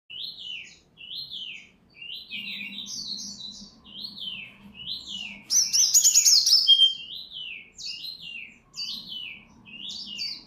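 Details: Wild-origin white-rumped shama from Bengkulu, Sumatra, singing vigorously: repeated clear whistled phrases, each a quick rising then falling slur, about every second, with a loud burst of rich, rapid notes midway; a faint low hum underneath.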